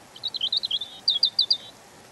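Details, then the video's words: Song of a European robin: a quick run of about twelve high, sweet, warbling notes with twittering turns, ending in a short series of clear, evenly spaced notes, over a faint background hiss. "Ласковое пение Зарянки(малиновки)"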